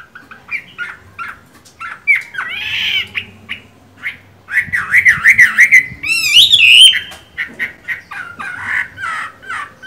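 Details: Moulting Chinese hwamei, green-eyed, mixes harsh buzzy notes with clear whistled phrases, building to a loud warbled burst and high sweeping whistles before quieter chattering notes.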